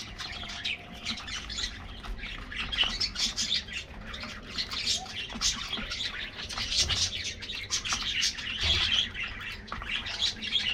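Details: A colony of colorful budgies in an aviary, getting a morning diet treat, keeps up a constant, lively chirping and warbling from many birds at once, with no pauses.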